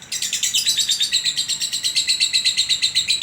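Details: A Sragen contest-winning lovebird delivering ngekek, sometimes extended by konslet: a sharp burst opens a rapid, rhythmic, high chattering trill with evenly spaced pulses throughout.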